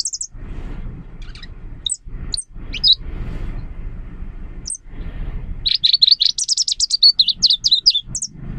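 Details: Leaf warbler singing, its song likened to a babbling stream, crisp and pleasant: scattered thin high notes, then a fast burst of sharp, twittering trills near the end over a low rumbling background.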